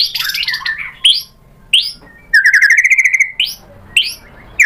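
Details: White-rumped shama song used as a lure to provoke a rival into answering: loud, varied whistled phrases, a rapid rising series of notes in the middle, and sharp upslurred calls separated by short pauses.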